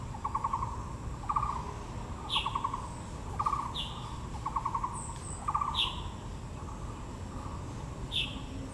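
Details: Taiwan blue magpie calling in Yangmingshan Park, Taipei, where azaleas flower: a train of rapid rattled pulse groups roughly every second, mixed with short sharp higher notes, against a constant low background hum.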